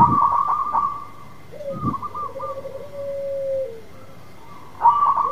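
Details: Local zebra dove in vigorous song, meant to draw a silent dove into singing: stuttered high notes lead into a long, lower, rolling trill that falls at its close, then a fresh burst of notes begins.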